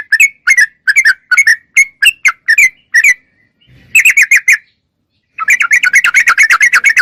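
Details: Sooty-headed bulbul singing vigorously: quick strings of sharp chirped notes, a short pause, a tight burst of five, then a dense, rapid chattering stream of rattled chirps to the end.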